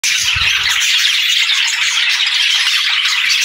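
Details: Budgies chirping and singing, a dense, continuous chorus of overlapping high, scratchy chatter and quick tweets with no pauses, plus a brief low thump at the start.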